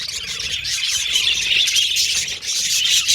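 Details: Pet Australian budgerigars singing and chirping in a group, steady high twittering chatter with overlapping whistled notes throughout.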